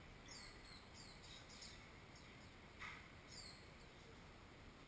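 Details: Caged oriental white-eye chick, fallen from a tree, being fed by its parents. It gives a quick run of thin, high, downslurred notes, then a pause, then a few more, against soft steady background hiss.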